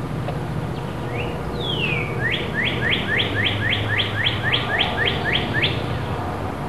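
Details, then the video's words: Young robins that have just flown from their nest: a few scattered chirps and one longer falling note, then a fast run of about a dozen rising, upswept chirps at a steady pace, with low background rumble. "Robins learn to fly"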